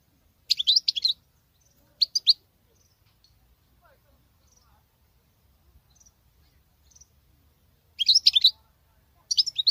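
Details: Female European goldfinch singing like a male: short bursts of high, fast twittering notes near the start, around two seconds and again near eight and nine and a half seconds, with quiet gaps between and faint low rumble.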